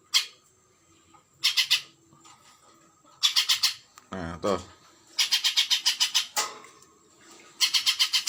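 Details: Spiderhunter, a bird kept for song tutoring, giving bursts of rapid, high, repeated notes in rows of four to eight, separated by pauses; a man speaks briefly and a low rattling noise sounds near the middle.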